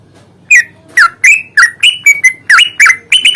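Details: Yellow-vented bulbul singing aggressively, a long rolling series meant as a lure to make silent birds sing. About ten bright, clipped notes, some dipping then rising, come one after another every third of a second against a quiet low rumble.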